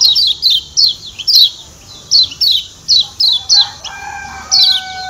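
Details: Kecial kuning (Lombok white-eye) uttering 'ciak ciak' chirps meant to make birds eager: sharp high downslurred notes repeated about twice a second, with a sustained low tone in the later part.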